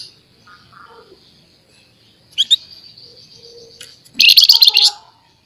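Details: Scaly-breasted munia in lively, chattering voice, kept for tutoring other birds: a long, thin, steady high whistle followed by two sharp buzzy bursts, ending in a loud, dense, rapid rattling chatter. Faint low murmurs sit underneath.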